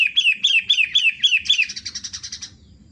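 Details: A 'matahari' long-tailed shrike (pentet) in lively song: a few bright notes that slur downward, then a rapid chattering trill that fades away, with a low background murmur.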